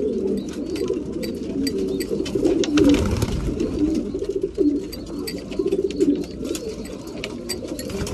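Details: Breeding pigeons feeding, an unbroken murmur of deep cooing mixed with rapid clicking and rustling, the clatter thickening midway.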